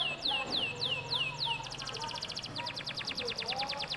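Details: Lure song of a domestic canary meant to prompt other canaries to sing: evenly spaced falling whistles, then a long rapid rattling trill of many short repeated notes, with a low continuous hum behind.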